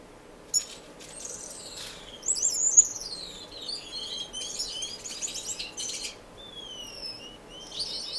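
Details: Mixed finches in an indoor, non-breeding community aviary in Edmonton, Canada, during March: sharp high chirps, then a run of descending whistled and buzzy phrases, with trilled notes and later slurred downward whistles.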